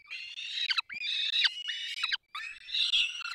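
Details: Peregrine falcon chicks begging during a feeding by both parents at their nest, Barycz Valley, 3 May 2024: drawn-out, nasal whining wails, each ending in a downward slur, broken by brief silences.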